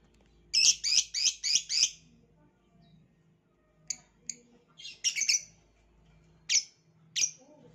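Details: Violet lovebird opening with a fast run of five piercing chirps, then scattered single and paired shrill notes over a faint low hum.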